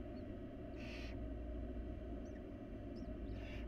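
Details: Barn owl nestlings, wild and filmed in a nest box, call for food from their feeding mother. Two short, noisy screeching hisses are separated by a quiet gap, with a low hum throughout.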